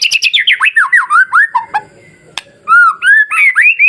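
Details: White-rumped shama masteran song, used to provoke fearful shamas into agitation and steady singing: rapid loud whistled notes, then a run of rising and falling slurred phrases, a brief pause with a sharp click, then more sweeping whistles.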